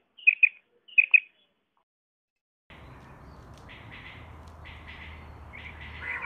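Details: Common quail call for hunting: two brief triplets of sharp high notes near the start, followed by silence and then noisy, faint chattering.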